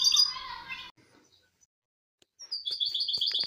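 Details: Brief snatch of misto hybrid song from a recording used to train young birds. A harsh, buzzy phrase is followed by near silence, then a quick series of high repeated trill notes.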